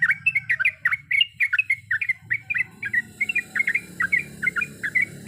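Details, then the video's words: Sooty-headed bulbul singing a long rapid song with many kinds of notes: a continuous string of warbled, rolling phrases, slightly fainter toward the end, over a low background hiss. "Trucukan gacor ropel panjang full isian berbagai macam suara"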